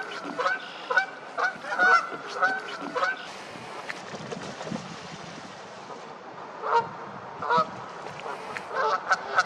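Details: Canada geese honking loudly in a fight: a burst of honks for three seconds, a noisy lull, then more honks returning near the end.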